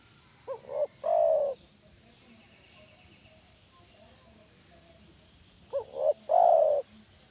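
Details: Spotted dove call used as a lure to get other doves to answer: two coo phrases about five seconds apart, each a short double note followed by a longer, slightly falling, purring coo, over quiet low background noise.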